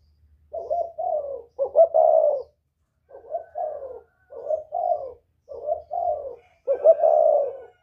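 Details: Whistle-voiced northern spotted dove calling as a lure for wild doves: phrases of paired low coos, each phrase ending in a louder drawn hoot, repeated about every 1.5 seconds with a faint low hum behind.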